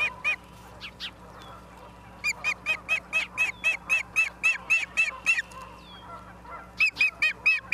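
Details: Osprey at its nest in Charlo, Montana, filmed by a live nest camera on 28 September 2023 at 17:45: a couple of early chirps, then a long run of sharp, ringing whistled chirps about four per second, a pause, and another run.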